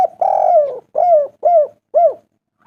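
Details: Spotted dove (tekukur) lure call used to prompt other doves to call: one long, mellow coo followed by three shorter coos, each dipping in pitch, in a quiet setting.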